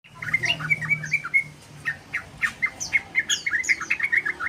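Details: Sooty-headed bulbul learning a long trilling song: a busy run of short chirpy whistled notes and quick slurred phrases, closely repeated, with a low steady hum underneath.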